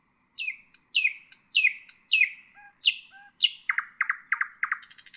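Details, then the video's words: Common nightingale song aimed at tutoring bulbuls and songbirds: a series of loud falling chirps, two soft low double whistles, rising upsweeps, then quick repeated strokes and a buzzy ending. "تغريد طائر العندليب"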